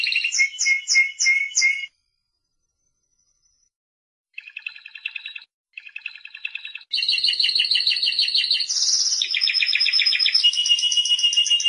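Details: A Timbrado canary in full song: clipped repeated notes, then buzzy rolling trills, shifting into a sustained, very high, rattling trill that changes pitch in steps near the end.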